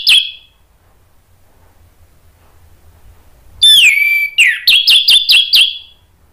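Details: Orange-headed thrush lure song meant to get other thrushes responding: one short whistle, a pause, then a sliding whistled note followed by a quick run of five clipped, repeated notes.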